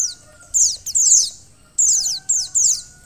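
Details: Female white-eye calling to spur a male into singing: bursts of rapid, high, thin chirps, each note sliding downward, in three groups separated by short pauses, over a faint steady background hum.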